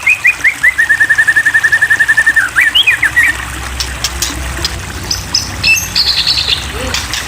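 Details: White-rumped shama (Copsychus malabaricus) provoked to sing: a steady run of about twenty evenly spaced whistled notes, a brief rising flourish, then quieter high notes over low rumbling noise.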